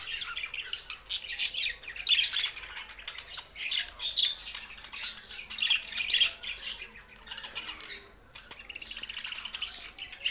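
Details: Budgies in Larkana, Sindh, singing: busy overlapping warbles, clicks and squeaky chirps in bursts, a short near-silent gap just after eight seconds, then the chattering picks up again.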